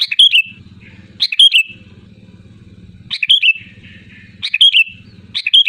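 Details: Sooty-headed bulbul calling loudly to rivals: short bubbly, whistled phrases repeat every one to two seconds, with a low rumbling hum filling the gaps between them.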